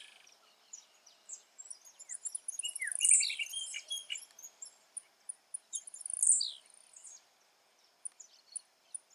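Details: Blue-black grassquit in natural habitat gives two sharp, buzzy, high-pitched song bursts about three seconds apart. Scattered chirps and ticking calls from other birds fill the background.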